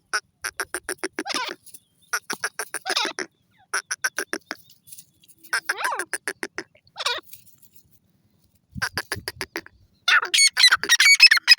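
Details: Grey francolin, known locally as desi teetar, giving fast runs of clipped, buzzy harmonic notes in bursts separated by short pauses, ending in a higher, squealing rapid series.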